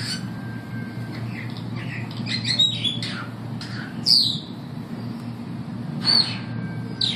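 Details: Zoo-kept superb starlings at the St Louis Zoo, 15 September 2012, sing sparse, sharp high notes and a few loud descending whistles spaced about two seconds apart over a constant low indoor hum.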